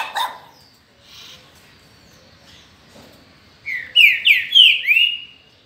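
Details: Green-winged saltator, a kept bird in its 2019 season, sings a loud phrase of four rich, downslurred whistles late in the clip, after a faint chirp at the start and near-silence.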